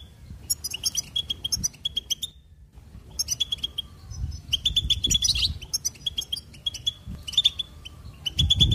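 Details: Goldfinch singing in quick chattering phrases of high tinkling notes and short trills, broken by a near-silent gap, with soft low rumbling underneath.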